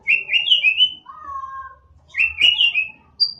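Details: White-rumped shama kept as a cage bird to spur others into song, with bright slurred whistles, a lower drawn-out whistle, then another burst of sweet high phrases and a faint hum beneath.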